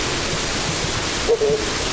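Flammulated Owl giving two short, low, soft hoots close together near the end, over a steady loud hiss.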